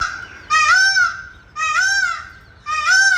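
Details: Jungle bird on a village morning: three loud, nasal honking calls, each swelling then falling away, repeated about once a second with quiet gaps between.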